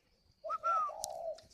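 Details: Spotted dove kept at a dove farm in Ba Vì, Hanoi, Vietnam, giving a single drawn-out coo with a brief higher opening note, then a long steady low tone.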